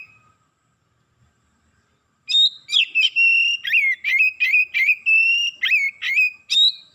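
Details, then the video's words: Oriental magpie-robin, worked up and unloading its repertoire of imitated phrases: after two quiet seconds, a fast stream of loud, high whistles and sharp chipping notes, roughly two to three notes per second. "KACER NAIK EMOSI BONGKAR ISIAN"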